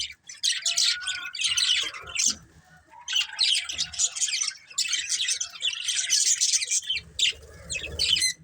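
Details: A group of budgerigars keeps up fast, raspy, high chatter with squawky notes in several long bursts, and some faint low rumbling toward the end.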